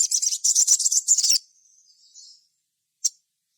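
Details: Lure recording of a sogon meant to set other sogon singing: an intense high buzzy trill lasting over a second, fading into soft thin notes, then one sharp chirp.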